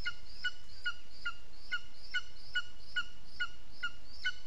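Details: Lesser spotted eagle at its nest, 15 June 2021 at 15:09, repeating bright, piercing yelped notes at an even pace of roughly two per second throughout, with low background hiss.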